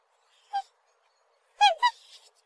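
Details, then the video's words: Black swan: one brief honk, then a quick pair of loud nasal bugling notes trailing into a softer rough, breathy sound. "Голоса птиц: чёрный лебедь"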